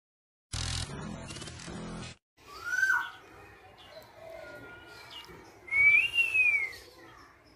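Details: Tame female black-naped oriole singing: after a burst of broadband noise, clear fluted whistles slide upward and arch, one lower note followed by a brighter, higher slurred whistle near the end.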